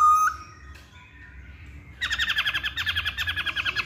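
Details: Hwamei singing: a short loud whistled note, a pause, then a fast rattling series of rhythmic chattering phrases at a steady pulse.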